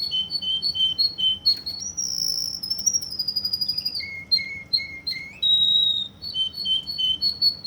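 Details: Russian canary in Kuwait, indoors, singing a varied song of clear whistled notes alternating in pitch, long sustained high tones, a fast rolling trill, and lower flat whistles, all loud and close.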